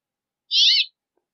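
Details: Brambling producing a single harsh, buzzy note under half a second long, with nothing else heard.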